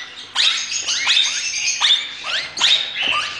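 Plum-headed Parakeet chicks give rasping, frog-like croaks, a burst a little under once a second, each with a high, sharply falling note.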